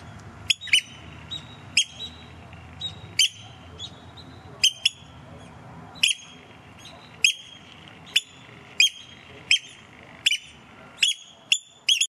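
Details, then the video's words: Bold oystercatchers close by during their May–June visit, calling noisily: a steady run of about fifteen piercing, clipped piping notes, roughly one a second, some doubled, with the pace quickening toward the end; faint low background rumble. "Oystercatchers, very noisy and courageous birds!"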